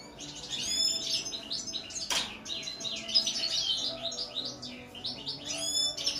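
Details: Goldfinch song of rapid high twitters and tinkling notes, with a buzzy rattle near the start and end and a sharp click around the two-second mark, steady low hum in background.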